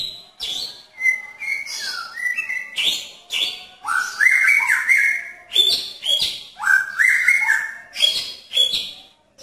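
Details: Magpie-robin male in a pairing cage singing to attract a female, with a long run of varied whistled phrases that climb and drop in steps, punctuated by crisp high chips.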